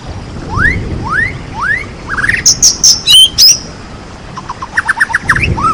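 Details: Provoking song of a white-rumped shama meant to get other shamas singing: three clear rising whistles, then a quick rising trill, loud piercing high notes, and a final series of short bright pulses.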